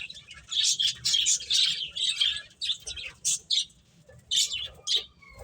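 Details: Finches chirping while playing, a burst of high, rapid tweets in the first seconds followed by shorter separate chirps with pauses between them.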